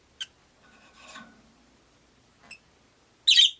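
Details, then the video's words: Rosy-faced lovebird in a window-side cage holding five birds: faint ticks and soft chatter, then a loud, harsh, scratchy chirp at the end. "Lovebird Chirping Sounds"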